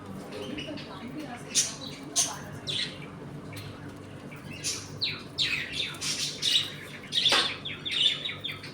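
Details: Home colony of budgerigars eating, playing and squabbling: bursts of high, scratchy chirps and squawks come in quick irregular runs, growing busier toward the end, with a constant low hum behind.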